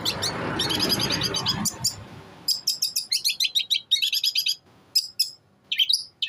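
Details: Long-tailed shrike, eight months old, from Jember in East Java, performing one-breath song of copied sparrow, kuntilanak and tengkek buto sounds: a noisy opening, then bursts of sharp high chirps and short whistled notes separated by brief pauses.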